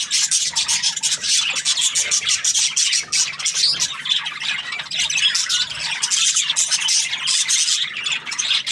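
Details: Lively budgerigar chirping, a dense flow of high, raspy tweets and squawks with a short quieter break near the third second.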